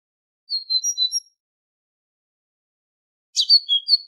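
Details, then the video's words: Two brief tit phrases, from a training recording meant for goldfinches: a string of four high whistled notes, a pause of two seconds, then a buzzy onset followed by alternating whistles. "تغريد طائر الحداد ( القرقف)"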